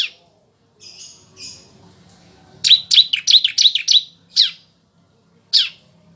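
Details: Bar-winged prinia song used for tutoring magpie-robins: a couple of soft buzzy notes, then a quick cluster of loud, sharp chirps followed by two spaced single chirps.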